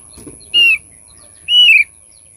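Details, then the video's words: Thick-billed white-eye for luring birds: two strong, clear whistled notes about a second apart, the second longer and gently falling, over a faint steady high hum. "pancing bunyi burung opior paruh tebal"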